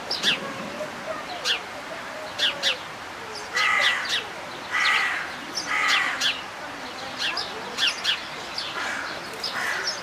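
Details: Himalayan monal in Zoo Leipzig, Germany: three coarse, buzzy calls in quick succession mid-clip, set against sharp high chips and twitters from numerous other birds.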